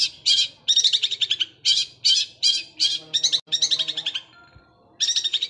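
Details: Long-tailed shrike singing gereja Kunti song, rolling fast like a sewing machine. Clustered high, scratchy chattering notes come in quick groups, with a short pause before a final burst.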